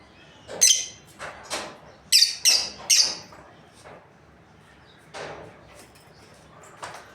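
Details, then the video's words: Lovebirds from a breeding pair chirping in an irregular series of sharp, shrill squeaks and harsh notes, some clustered close together, with brief pauses and quieter calls between. "Amazing Lovebirds Chirping Sounds | breeding pair"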